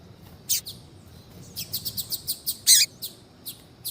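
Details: Female double-collared seedeater calling to get a male singing: a loud high chirp, then a steady run of quick repeated notes, a strong buzzy accented note, and a few spaced chirps.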